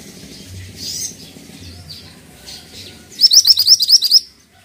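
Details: Pied triller in active song, about seven loud upslurred notes fired off in a one-second burst near the end, preceded by soft high chirps and low hum.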